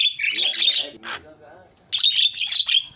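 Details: Javan myna giving loud, rough, buzzy chatter in two bursts separated by a quieter gap with low grating notes.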